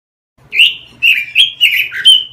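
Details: Pekin robin song from a training recording for caged birds: a short phrase of sweet, fluty whistles, some sliding downward, sung briskly after a brief quiet start.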